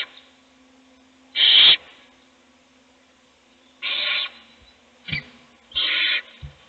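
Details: Nest-box owls during a feeding of one chick while others sleep: three loud broadband hisses and one brief shorter rasp, spaced unevenly, with a faint low hum beneath.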